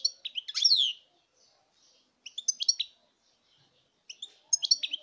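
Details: European goldfinch song recorded in 2019, given as short tinkling phrases of bright, high twittered notes with a descending slur, repeated at roughly two-second intervals with quiet gaps between.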